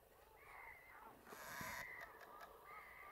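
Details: American flamingos (Phoenicopterus ruber) at a lagoon fish farm on 12 March 2022 give nasal, goose-like honking calls, several harsh notes overlapping in a short burst, with a brief noisy rustle in the middle.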